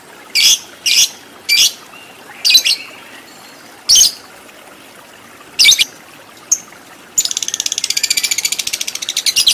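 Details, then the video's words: Fighter lovebird, long ngekek style: several separate harsh screechy notes at irregular gaps, followed by a dense, fast buzzing chatter of high notes over the final two seconds. "Lovebird Fighter Ngekek Panjang"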